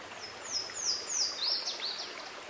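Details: Louisiana waterthrush, a bird of bubbling brooks and streams, singing faintly over steady rushing stream noise: three high slurred downward whistles, then a quicker jumble of lower swooping notes.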